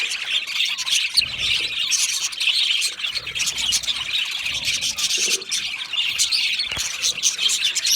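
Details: Budgerigar flock in an aviary producing continuous high chirping and scratchy squawks, the busy chatter rising and dipping slightly, with faint low thuds in the background.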